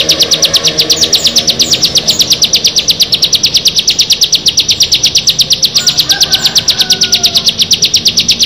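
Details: Ciblek, the bar-winged prinia, one of six birds gathered together, giving a long, rapid, machine-like stream of high, clipped notes that runs without a break.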